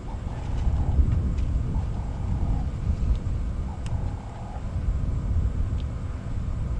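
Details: Safari drive at sunset, dominated by a deep, steady engine rumble with faint voices drifting over it; no animal calls stand out.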